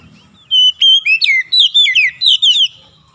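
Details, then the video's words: Oriental magpie-robin (kacer) song used as a trigger recording to bring a stressed, silent bird back into full song: a loud run of about eight clear whistled notes, some sliding down, others quick and rising, over faint low hum. "PANCINGAN SANGAT CEPAT MEMULIHKAN KACER SETRES MACET BUNYI LANGSUNG GACOR"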